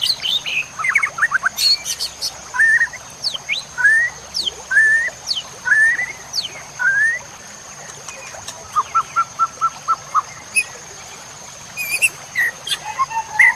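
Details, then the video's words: Songbird training recording of white-rumped shama with fill-in phrases: spaced rising whistled slurs, sharp clicks, then a fast even series of short chips, repeated variety of notes, constant thin high-pitched tone in the background. "Masteran Murai Batu Full Isian"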